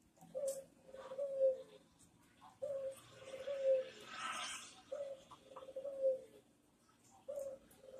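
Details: Fairly distant Barbary dove (puter) coos in manggung style for training other birds: four rolled phrases, each with a short opening note, spaced about every two and a half seconds over steady hiss.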